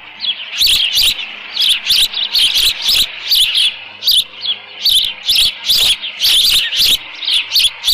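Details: Osprey calling at a Dunrovin Ranch nest on 13 June 2018 near 11:37 AM, with leftover fish in the nest. Sharp, high chirps come in steady runs of short notes, roughly two or three each second, with soft clicks between them.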